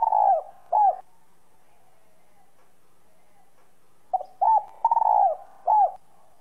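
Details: Spotted dove cooing in 'giọng son' voice to stimulate other doves: the tail of one phrase, a three-second silence, then a full phrase of short note, steady coo, fluttering descending coo and curved closing note.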